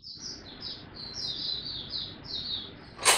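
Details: Young male white-eye developing his song, February 2022: a quick, high, sweet warble of slurred notes over a steady background hiss, ending in a loud sharp knock.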